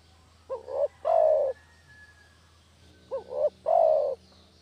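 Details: Spotted dove used as a lure call for catching doves: two coo phrases, each a short rising hooked note followed by a longer steady mellow coo, separated by about two seconds, over a low steady hum.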